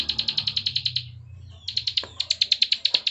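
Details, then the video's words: Clicking "klik" song of a bar-winged prinia (ciblek sawah): a rapid string of sharp high ticks, breaking off for about half a second, then resuming at the same quick, regular pace. "CIWAH PRENJAK KLIK PALING GACOR NGEBREN"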